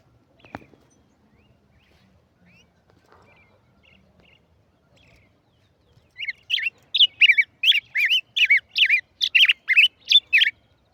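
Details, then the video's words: A tigrillo singing: after about six seconds of near silence, a fast run of bright, sharp chirped notes repeated rapidly until the end. "tigerillo cantando"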